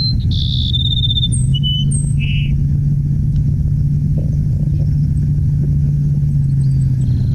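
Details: A Cassin's sparrow in southeast Arizona in July, during monsoon season, sings one quick, sweet phrase: a buzzy start, a thin trill, then high and lower whistled notes, over a steady low electrical hum.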